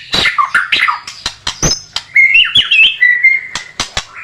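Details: White-rumped shama training song for contest birds, with quick varied whistles, a bright warbling rising and falling passage and steady clear notes, scattered with sharp percussive clicks.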